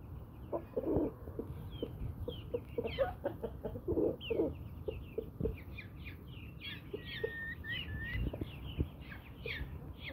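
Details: Brahma-breed hens and roosters kept as pet birds: steady low clucks mixed with many thin, high, peeping chirps that grow busier in the second half.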